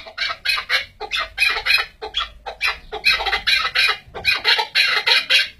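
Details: Chukar partridge giving loud, harsh chattering chuck notes in quick bursts, packed closely together and continuing without pause throughout.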